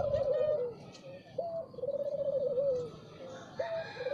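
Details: Morning song of a spotted dove: low soft cooing with a rolling, trembling middle note, phrases of three to four parts, faint higher chirps of other birds in the background.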